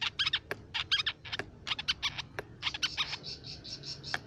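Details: Lure and tutor song of the crimson sunbird: quick clusters of thin, high, ringing chirps, some with upward flicks, repeated in short bursts, then a run of sustained, piercing notes near the end.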